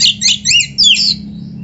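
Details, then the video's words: Short burst from an Oriental magpie-robin's 'gacor' song with 'isian' fill, meant to make other magpie-robins answer; a few loud, tangled whistled slurs, high and shrill, then fading. "SUARA BURUNG KACER GACOR ISIAN JUARA ‼️ - Stel suara ini BIKIN KACER LAIN CEPAT NYAUT"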